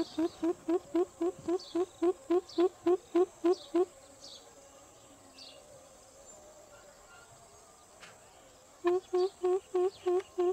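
Greater coucal giving fast runs of deep, hollow hoop notes, about four a second. A long run gives way to a pause, then a second run; faint higher chirps between.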